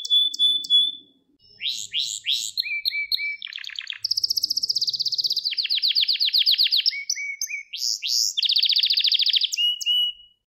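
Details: Varied Gloster canary training song, played to arouse males: short whistles and swoops, a buzzy rattle, a long fast trilled roll, and low descending notes between tours.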